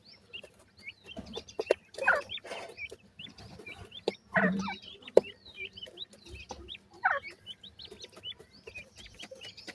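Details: Numerous grey francolin chicks cheeping together, high slurred peeps overlapping throughout, punctuated by clicks and rustling, over a low steady hum.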